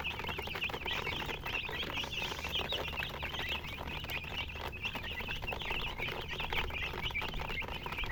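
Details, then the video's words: Baby chickens chirping as a dense flock: rapid, high, thin peeps overlap without pause, many chicks calling at once over a soft background patter. "Chicks Chirping"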